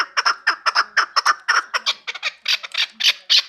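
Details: A chukar partridge offered for sale in Kabodiyon district gives quick rasping chuk notes, often in pairs, steadily repeated, turning harsher and louder in the last second.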